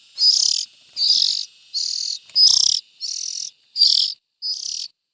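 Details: Loud, harsh hissing calls from young bulbuls, about seven bursts evenly spaced in a few seconds, with a faint low rustle once.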